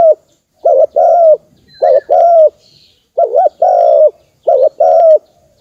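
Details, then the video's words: Spotted dove, a call played to excite decoy birds for trapping, giving repeated two-part coos, a short dip-and-rise note then a longer steady coo, several in a row with brief pauses and faint chirps of other birds. "Tiếng chim cu gáy kích bổi"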